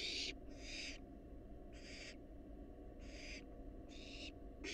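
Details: Barn owl fledgling, wild, in a monitored nest box, producing a rapid run of six harsh, breathy screeches, each under half a second, nearly one per second, over a low humming background.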